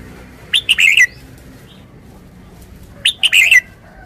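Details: Caged red-whiskered bulbul sings two short, lively warbled phrases about two and a half seconds apart, each a quick run of bright chirps, over a quiet background.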